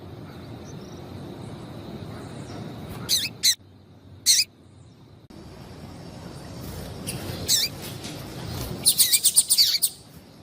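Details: Calling female yellow-bellied seedeater used to excite males: a pair of sharp high chirps, another after a pause, then a scattered few and a fast closing run of chirps, over continuous low hum.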